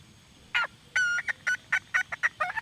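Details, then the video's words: Female red junglefowl giving a quick string of short, nasal, slightly ringing cluck notes of varying length, about four per second. "suab poj Qaib see"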